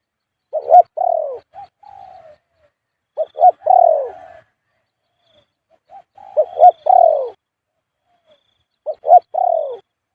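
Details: Repeated khu-ang cooing from a spotted dove, used almost all the time: low mellow phrases every two to three seconds, each with quick short notes and then a longer descending coo, sometimes with a soft level hum in between.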